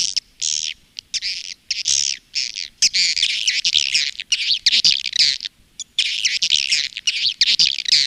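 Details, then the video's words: Swiftlet lure and roosting call for swiftlet houses: dense, high chattering twitters in rapid bursts with brief pauses, a busy flock-like chorus, no other sounds. "SUARA PANGGIL DAN INAP BURUNG WALET"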